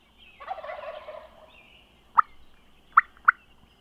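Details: A wild Merriam's turkey on public land in South Dakota at daybreak gives one rolling, rattling gobble lasting about a second, followed by three sharp, short notes.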